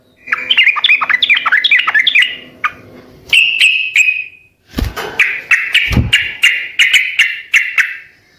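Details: Sooty-headed bulbul singing persistently in an effort to make other birds reply: a rapid run of rising and falling warbled notes, a few separate calls, then a steady series of bright chirps roughly every third of a second, with occasional low thumps.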